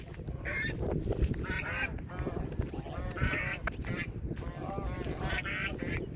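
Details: Domestic geese left by local people on a Meghna River char in Narsinghdi, Bangladesh, calling because a person comes close; repeated hoarse, nasal honks from several birds, rough and overlapping, over heavy low wind noise.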